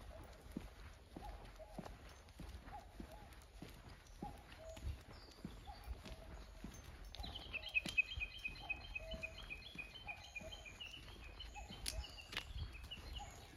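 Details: Common cuckoo described as off-key, the same bird heard here last year and back again this year: faint, low, hollow notes repeated roughly every second, with higher twittering from another bird joining partway through over quiet outdoor background.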